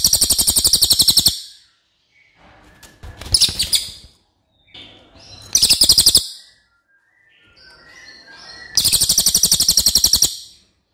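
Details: Loud master song of a racket-tailed treepie, a crow relative, for training other caged songbirds: four bursts of rapid, harsh, metallic pulsed notes about a second long, separated by quieter gaps with faint chirps.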